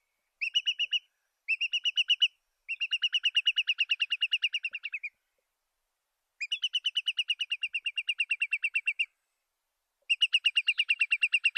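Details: Curlew uttering repeated trills of quick, clear piping notes, some short and some stretched over two or three seconds, with silent gaps between them and a quiet background.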